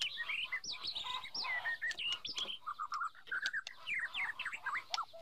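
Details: Forest white-rumped shama, female spurring the male to practise singing: a quiet, continuous medley of varied whistled notes and slurs over a noisy background hiss.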